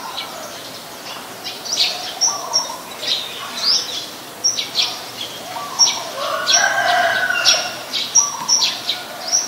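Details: Eurasian tree sparrow, a very common resident, recorded in Ubon Ratchathani, Thailand, on 10 May 2020; short bright chirps and clipped notes come in loose bursts throughout, with several birds calling over one another.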